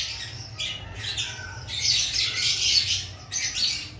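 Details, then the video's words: Lovebirds before breeding season, active in an aviary: harsh, high squawking calls in bursts, overlapping chatter rising and falling, with a low steady hum underneath. "Before breeding season Check your love Bird activity"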